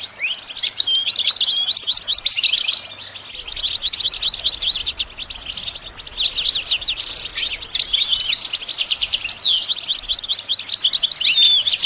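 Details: Goldfinch in sustained song, as used in training a bird to sing: a long, lively sequence of high tinkling twitters, buzzy trill runs and slurred whistles with brief pauses between bursts.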